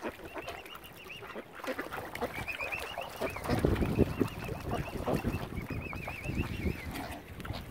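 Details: Angry, hungry mother swan on Lough Neagh, Oxford Island nature reserve, County Armagh, Northern Ireland, where algae has killed normal food supplies; wavering, nasal honking calls repeated in quick runs over low splashing and rumbling background.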